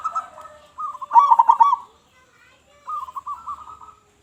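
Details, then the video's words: Local zebra dove singing loudly to lure other doves: a short stuttering burst of rolling coo notes, a silent gap of about one second, then a softer run of quick bouncing coos. "Perkutut Lokal Gacor Suara Besar Suara Paling di Sukai Burung Perkutut apa Saja"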